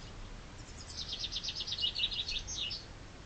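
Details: Chaffinch singing in spring: a rapid high trill of repeated bright notes lasting about two seconds, stepping slightly downward and closing with a sharper higher flourish, over faint low background rumble.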